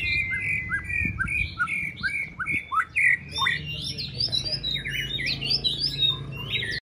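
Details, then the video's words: White-rumped shama in training for a singing contest: a long whistle, then short downslurred notes, building into a fast, busy burst of higher twittering phrases, over a low steady hum. "Kích lửa chuyền đấu hót solo sàng cầu rực rỡ"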